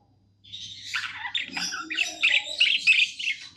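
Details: Tame budgerigar singing happily, starting after a short silence with a quick, bubbly run of chirps and squeaks that grows louder.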